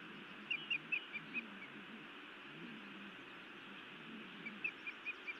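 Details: Female osprey scolding her mate at a Montana nest on a late May evening, short bright whistled chirps in two quick bursts of about five notes, with steady background hiss between them.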